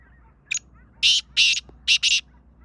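Black francolin giving its harsh, grating call: a short opening note, then four loud rasping syllables in two quick pairs. The background is quiet.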